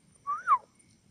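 A red-wattled lapwing gives one clear, sharp note that rises and then drops away, lasting about a third of a second, against a faint low rumble.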